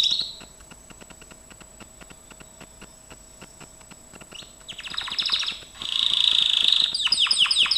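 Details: Gloster canary training song. Faint ticking fills the first half, then the bird bursts into loud rolling trills, a dense high buzzing roll and quick upward-swept chirps.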